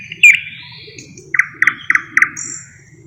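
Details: Singing thrush nightingale (Luscinia luscinia), a bird that borrows other species' sounds: one sharp note and a long thin whistle, then four evenly spaced loud chucking notes, ending in a high thin whistle.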